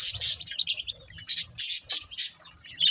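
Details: Short, harsh budgie chirps and squawks come in quick bursts of several notes, with gaps between groups and faint low rumbling beneath.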